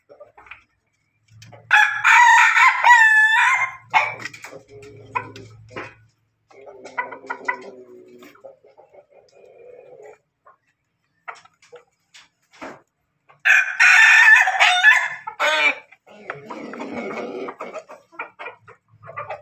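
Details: Morning crowing from an Ayam Ketawa rooster: two loud, choppy, wavering crows about eleven seconds apart, each a few seconds long, with softer clucks, low murmurs and scattered knocks in between.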